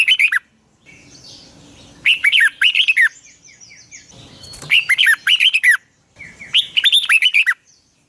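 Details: Red-whiskered bulbul giving a lure song for training, sung in the morning in the long double twisting style (giọng kép xoắn dài), 2020. Four bold bursts of fast, rolling whistled notes are spaced by brief pauses holding softer thin calls.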